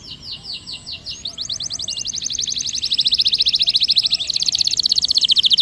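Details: Canary song to draw lazy canaries into rolling: soft opening notes build into a long, very fast and even high trill that grows louder and continues to the end.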